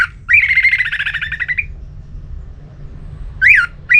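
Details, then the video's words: Orange-headed thrush giving ngeplong-style song, used to stir a sluggish bird into answering and singing; a buzzy, rattling trill held for over a second around mid pitch, then short sharp slurred notes after a pause, low background hum. "ANIS MERAH LOYO Bakal SONTAK NYAUT GACOR dan EMOSI dengar Kicauan Ngeplong ini"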